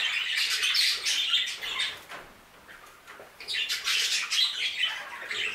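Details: Aviary budgerigars chattering in a busy high warble. The noise fades to a quieter lull midway, then swells again with rapid squeaky notes.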